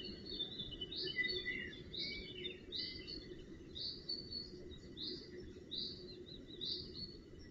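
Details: Northern goshawk nestlings being tended at the nest on 4 June 2018 give thin, high, upslurred calls, repeated roughly once a second, over a steady insect-like drone and low outdoor rumble.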